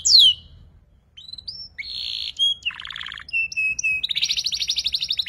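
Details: Young canary practising ngeriwik twitter: a sharp descending note, then a varied string of flat whistles, short buzzes and a lower rattle, closing with a fast high trill.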